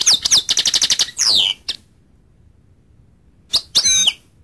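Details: Rapid series of high tinkling notes from a goldfinch, then a long descending sweep, a pause, and a final pair of bright twittered phrases.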